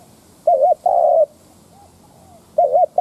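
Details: Spotted dove used as a lure to rouse wild doves, giving a low wavering double coo followed by a longer flat coo, then another double coo starting after a quiet gap.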